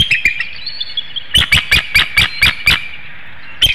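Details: Bald eagle at a nest webcam in Hanover, Pennsylvania, at 7:02 AM on 25 March 2019, calling for its mate to take over incubating the eggs: a fast series of sharp, high, staccato chirping notes in bursts, with low rumbling noise.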